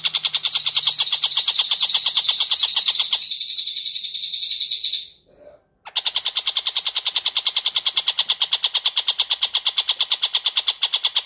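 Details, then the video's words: Long-tailed shrike recording for training oriental magpie-robins: a high buzzy trill overlaps the start, then after a short break come fast, harsh repeated chattering notes, about three per second. "TENGKEK BUTO Gacor"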